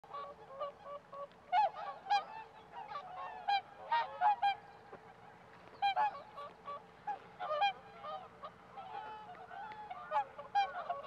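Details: Whooper swans, a close pair standing on one leg, in a flooded winter rice field near the Kabukuri-numa Ramsar wetland, where white-fronted geese also gather. Loud, nasal, trumpeting honks in quick, overlapping bursts from several callers throughout.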